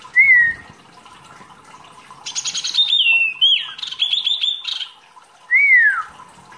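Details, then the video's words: Mini wambi, a songbird rarely kept by bird keepers, singing actively as masteran training material: a clear rising-falling whistle, then a busy run of high trilled and twittering notes, closing with another looping whistle. "wambi mini gacor materi mewah"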